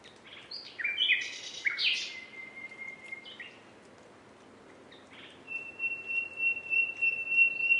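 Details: Common nightingale singing varied chattering notes and a harsh burst, then a long pure level whistle, a pause, and another sustained steady whistled note.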